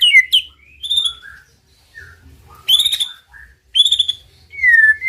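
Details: Champion male white-rumped shama used as a master to arouse silent birds: scattered short whistles and slurs separated by pauses, some rising, some falling, with a few bright harsh bursts and soft low background hum.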